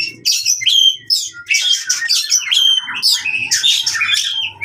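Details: Magpie-robin (oriental) delivering fighting song, used to restart birds gone quiet: bright whistled slides mixed with harsh buzzes and a short rattling trill, faint low knocks behind.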